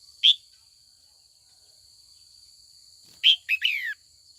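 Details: Female red-whiskered bulbul in training, calling in the afternoon to provoke old wild-caught males into competitive song: a lone bright note, a long pause, then a quick three-note phrase ending in a descending slur. A steady high electronic whine runs throughout.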